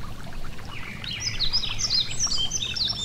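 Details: Yellow-throated bunting singing beside a gentle stream: a run of quick, high, arched chirps and short twitters climbing and falling, with other birds twittering and a steady rush of flowing water beneath.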